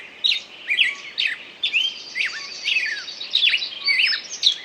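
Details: Songbird singing a varied run of high, swooping whistled notes and quick chirps, phrases separated by short pauses, with faint background hiss.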